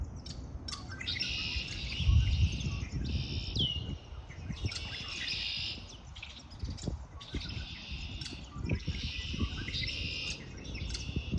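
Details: Birds singing in spring, with long, dense, high trills of nearly a second each, repeated with short pauses, and one clear downslurred whistle, over low rumbling noise.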